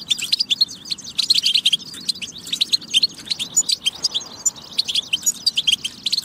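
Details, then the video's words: Recorded European goldfinch song for stimulating goldfinches: energetic bursts of tinkling chirps and short buzzy trills, with a brief lull midway. "بتبة فتاكة لتحفيز الحسون على التغريد والجهوزية"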